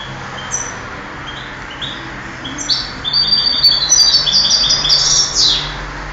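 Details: Contest goldfinch recorded in 2008 opens with scattered high chirps, then breaks into a rapid, sustained sequence of bright twittering notes ending in a rising buzzy flourish.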